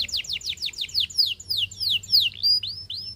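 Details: Canary song meant to tempt other canaries to sing and to coach them: a run of quick downward-sweeping whistled notes, then slower, longer falling and rising slurred notes, over a faint low hum.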